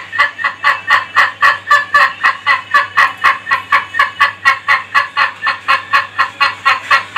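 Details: Ayam Ketawa (laughing chicken) rooster giving its laughing crow: a long unbroken run of rapid, even, cackling syllables, about four per second, all at a similar pitch and loudness, with a low steady hum underneath.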